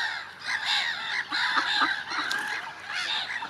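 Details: Gulls in early spring calling in a dense chorus, drawn-out harsh wails and shorter cries overlapping without pause.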